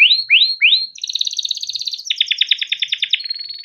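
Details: Timbrado canary singing melodic phrases for training: three rising swept whistles, then a fast buzzy trill, a lower rolling series of repeated notes, and a thin, steady high tone.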